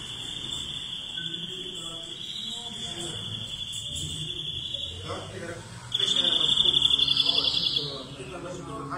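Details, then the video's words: European greenfinch holding a long, even, high buzz for several seconds. After a brief pause a louder rapid pulsing trill follows, then a swelling wheeze. Steady background hiss and murmur. "Greenfinch Song"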